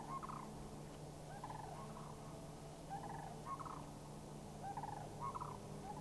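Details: Sandhill Cranes, a group of three, call back to cranes flying overhead in an Anchorage, Alaska park on May 1, 2011; loud rolling trumpet-like rattles arrive in clustered bursts, with a low steady hum behind.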